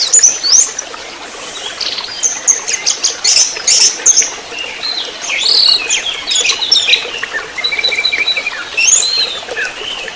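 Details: Orange-headed thrush singing trotol-style for tutoring songbirds: a long varied stream of high squeaky notes, stuttering trills and falling whistles in uneven bursts, fairly loud and busy throughout.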